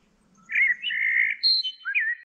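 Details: Near Almonaster la Real, Sierra de Aracena, Huelva, Spain, a bird the recordist believes is a common blackbird sings a short phrase of warbled, fluting notes with a higher squeaky flourish near the end, over a faint low hum.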